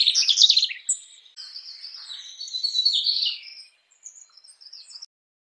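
A Mugimaki Flycatcher gives a quick burst of high, rattling chirps, then a thin, wavering trill and a few soft high notes fading away.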